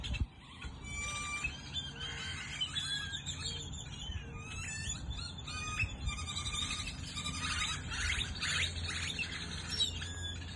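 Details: Many birds chirping together as the sun sets in Goodyear, Arizona: a dense overlapping chorus of high chips, short whistles and trills, with a low steady hum underneath.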